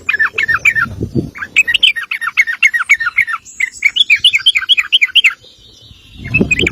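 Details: Sooty-headed bulbul in long 'ropel' song used for master training: a near-continuous chatter of quick, rising and falling notes for five seconds, then a pause and a final short burst.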